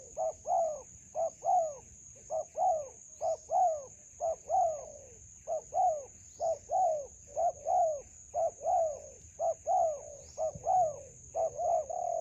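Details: Spotted dove in a melaleuca grove, decoy trapping of a wild bird: a long run of low, soft cooing phrases, each a clipped note followed by a drawn-out descending coo, regular pacing, constant shrill insect drone behind.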